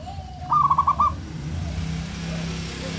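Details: One brief phrase of quick, pulsed, stuttering coos from a local zebra dove, a singer used to provoke rivals' anger and lust, lasting about half a second against a low droning background.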